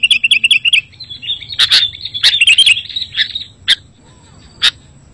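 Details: Sooty-headed bulbul on a lure recording for its kind: a quick string of even chirps, then a warbled phrase, then single sharp notes spaced apart.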